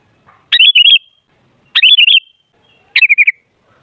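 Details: Sooty-headed bulbul song used to provoke bulbuls into singing. Three quick warbled phrases, each a rapid run of wavering whistles. The last is slightly lower and falling.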